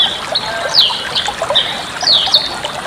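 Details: Bali myna song meant for tutoring other cage birds: scattered sharp whistled slurs, some sweeping down steeply, between softer chatter, over a constant hiss.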